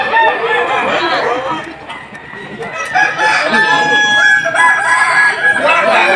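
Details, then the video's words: Kukuak Balenggek cocks crow at a 2025 Boko-class final contest in Sawahlunto, West Sumatra, a breed prized for long crows stepped at least five times. Many drawn-out, wavering crows overlap densely, with human voices beneath. "Ayam kukuak balenggek terbaik tampil di final klas boko di Sawahlunto"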